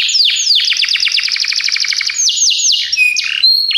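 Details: A Belgian canary's training song: a quick run of repeated downslurred whistles, a few slower swooping notes, and short high chips at the end.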